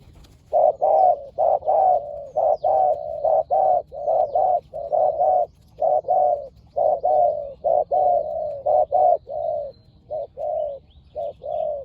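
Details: Two fierce spotted doves, a decoy and a wild bird, calling in Thailand; a long dense series of throaty coo pairs, at times overlapping as the birds answer each other.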